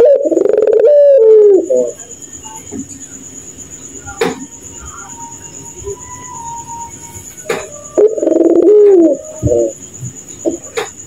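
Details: Puter pelung dove heard at night, its laughing call likened to a kuntilanak. Two bursts of throaty coos with stuttering ends, roughly eight seconds apart, with soft knocks and a faint steady whine between.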